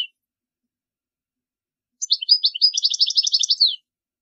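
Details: Song of a European goldfinch, played to teach young birds, a single fast tinkling phrase of high twittering notes lasting under two seconds after a silent start.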